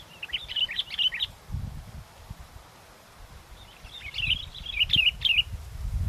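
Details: Sooty-headed bulbul, recorded during bird luring in strong wind, still singing actively: two bursts of rapid, bubbly chirping separated by a few seconds of quiet, with gusting wind rumbling below.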